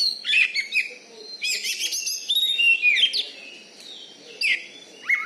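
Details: Contest-winning caged Oriental magpie-robin from Bengkulu, Indonesia: bursts of rapid chattering trills and mixed whistles, a long tumbling phrase in the middle, then scattered sharp calls.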